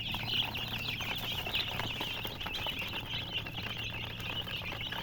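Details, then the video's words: A group of coloured baby chicks giving a continuous stream of high, thin peeps, several strong chirps standing out, with a faint low hum behind. "silly chicken chirping sounds with murgi hen color chicken"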